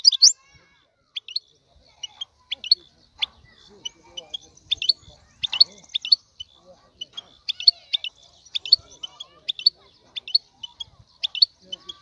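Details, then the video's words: Male European goldfinch song meant to stimulate a female to mate: scattered sharp twittering chirps in loose bursts over twelve seconds, with quiet low background noise. "اقوى تغريد الحسون لتحفيز انثى الحسون"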